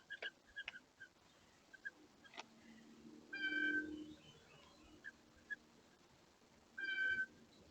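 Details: A blue jay at a bird feeder gives two loud, harsh, nasal screams about three seconds apart, each lasting under a second, with scattered taps and knocks between them.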